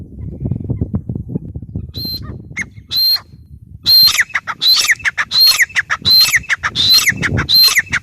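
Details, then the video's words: Grey francolin (teetar) calling: after two seconds of low rumbling background noise, loud, sharp, whistled notes ring out in a rapid repeated series, each phrase starting with a high clear note and dropping downward, about every half second. "gray francolin teetar sound"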